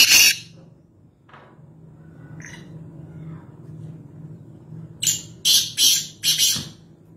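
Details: Black francolin (Kaala Teeter), Nawabshah, Pakistan: a harsh note at the start, a few faint distant scratches, then a clear phrase of four buzzy, grating notes over steady low hum.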